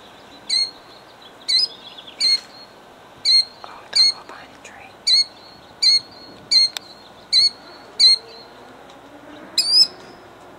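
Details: Defending her eggs, a killdeer in Jackson, New Jersey (2008) repeats short, piercing high notes roughly every second in a steady series of about a dozen, with faint low background rumble.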